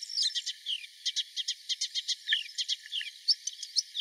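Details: Melodious warbler song recorded at Mila, 4 May 2021: a lively, rapid series of short, high, chirping and twittering notes at a fairly even pace, with a few sharper whistled accents, heard clearly over light background hiss.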